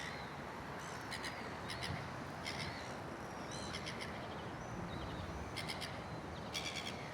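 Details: An indignant gull screams at a white-faced heron that ignores it, giving harsh, raspy screams about once a second over a steady roar of wind or surf.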